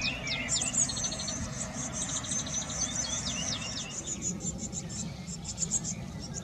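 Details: Blue tits caring for young at a garden nest box; quick high chirps and short sweeping notes cluster at the start, then thin rapid high twittering continues over low rumble.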